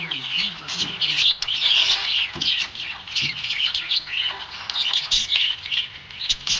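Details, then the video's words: Cheerful budgie warbling, a steady stream of high, scratchy chirps and tiny squeaks packed closely together with hardly a pause. "Happy budgie chirping sound"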